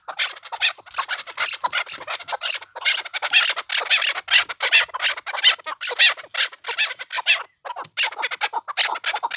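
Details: Harsh, scratchy chukar notes from the Pamir, fast and crowded together in bursts, bright and hissy in tone with one brief silence near the end.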